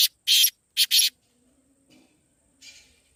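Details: Black francolin call, played to lure the bird or prompt a kept francolin to call: one harsh, grating phrase of four broadband buzzy notes, short-long-short-long, over about one second, then near silence with a faint later rasp.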